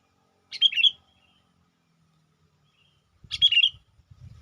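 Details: Lure calls of a sooty-headed bulbul meant to attract wild bulbuls. Two quick, warbling chirped phrases come about three seconds apart, with soft low thumping noises near the end.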